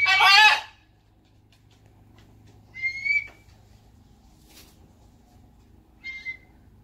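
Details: Blue-and-gold macaw kept as a pet, outdoors in the morning alongside a red-tailed black cockatoo: one loud, harsh, harmonic-rich squawk, then two short thin whistled notes a few seconds apart in a quiet setting.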